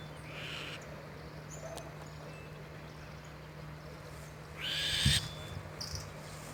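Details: Owl in a cemetery giving short hissing screeches, a faint one early and a louder harsh rasp around five seconds, over a steady low hum.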